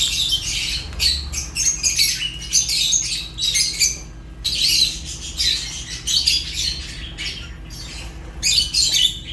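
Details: African lovebirds, Fischer's among the kinds kept together, give dense, shrill, overlapping chirps and squawks in bursts, with brief gaps near four and six seconds and a steady low hum underneath.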